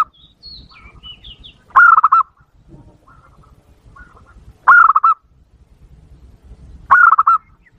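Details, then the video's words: Zebra dove lure call used to provoke wild doves: three loud, rolling bursts of stuttering cooing notes spaced a few seconds apart, with thin high whistles from other birds between them. "Suara Pikat Burung Perkutut Super Ampuh, bikin perkutut liar kepancing emosi"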